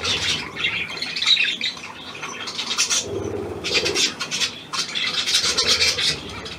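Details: Hand-tame Australian pied budgerigar, newly acquired, 17 February 2023: bursts of rapid raspy chirping and chattering separated by brief quieter gaps, with soft low rustling beneath.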